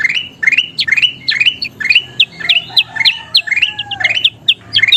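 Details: Sooty-headed bulbul (kutilang emas) in lively, energetic song, used for training other birds to sing: clear, fluid whistled phrases slurring upward and downward, rapidly repeated with short gaps and some lower sliding notes.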